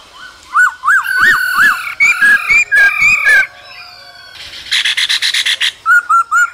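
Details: In the cold season, a male laughingthrush sings and dances while the female calls. Four arched whistles are followed by varied slurred notes, a fast buzzy chattering trill, then more short arched whistles.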